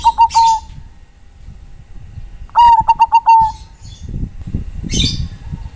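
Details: Bangkok-type zebra dove calling companions, giving a fast stuttering series of clear, even-pitched coos ending in a drawn-out note, after the tail of an earlier phrase; faint rustling and higher chirps in the background.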